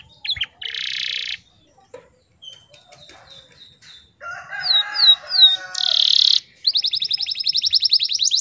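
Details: Canary morning song used as a lure to get untrained canaries, or ones gone silent from stress or after moulting, to sing: high buzzy bursts, rising slurred whistles and fast rattling trills in quick changing phrases, with short pauses.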